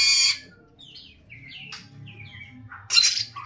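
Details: Samyong calling actively: a harsh squawk, then a series of soft, slurred whistles stepping up and down, ending in another loud rasping screech; low hum behind.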